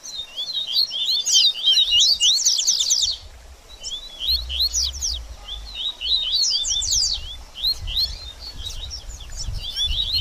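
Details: Double-collared seedeater, baderninha song style for warming up a bird after feather moult: three separate phrases of rapid, high, scratchy chirps and upslurred whistles, each a second or two long, with brief pauses between them.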